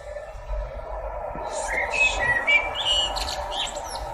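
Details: Outdoor bird song with rapid bright chirps and short whistled notes, about four per second, over a low steady hum.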